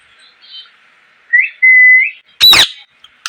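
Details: Parrot chirping: a soft, faint note, then a rising whistle that holds a flat, pure tone before lifting at the end. A single loud, harsh screech follows.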